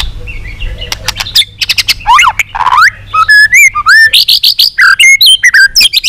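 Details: White-rumped shama training song, a long-strand song used to provoke other shamas into singing, with tail-flicking clicks. Loud clear whistles and slurred notes are mixed with sharp repeated clicks, building into rapid high bright phrases.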